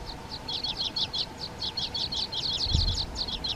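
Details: Water pipit in the Hrubý Jeseník mountains, Czech Republic: a continuous stream of short, high, sharp chirping notes, several per second, over steady low background rumble and hum.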